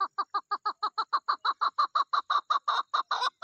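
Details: Mating-season call of a female chukar partridge: a fast, steady chain of about twenty harsh chuk notes, evenly spaced and slowly growing louder and rougher toward the end.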